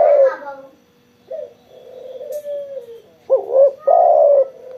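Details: Spotted dove cooing energetically after a sunbathing session; the clip opens on the fading end of one phrase, then after a quiet gap comes a short double note and a loud, rolling coo.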